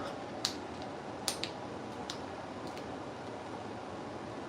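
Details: Quiet indoor room noise with a few sharp clicks and taps, no animal calls.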